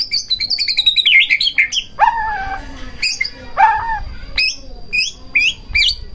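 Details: White-rumped shama song used to stir another shama into singing: high descending twittered notes, then loud downward-swept whistles and sharp high chips repeated at irregular intervals.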